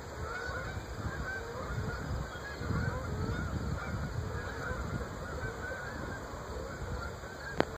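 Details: Flocks of Canada geese forming up and loudly honking over the Great Smoky Mountains in early October 2014, heading south on fall migration; many overlapping nasal honks run continuously over a steady low rumble, with a brief click at the end.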